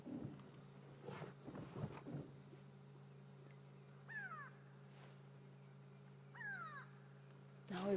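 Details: Grey go-away-bird alarm calling at sunrise in Sabi Sand on 31 May 2016, apparently at a hyena; two short descending nasal calls a couple of seconds apart, with a low steady engine hum and some rustling.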